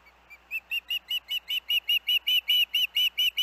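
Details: Osprey at the Hellgate nest with its young, recorded August 23, 2024 after dangerous winds earlier that day: about fifteen high, clear whistled chirps in a steady series, growing louder toward the end.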